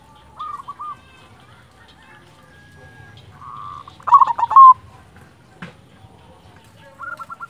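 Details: Quieter zebra dove phrases, from a local silver bird, with scattered soft hooked coos, a buzzy sustained note and one loud, rolling trilled burst near the middle, over faint low background hum.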